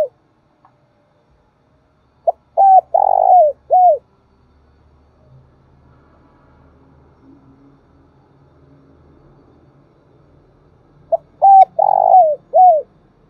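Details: Decoy spotted dove calling eagerly to draw out and provoke other doves. Two cooing phrases nearly nine seconds apart, each with brief notes, a rolling drawn-out coo and a drooping last note, and a faint low murmur in the gap.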